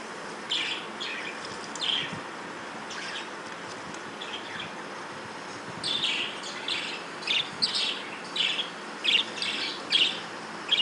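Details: Chirps from breeding budgerigars: a few soft, scattered notes at first, then a livelier run of quick, bright chirps in the second half over constant background hiss.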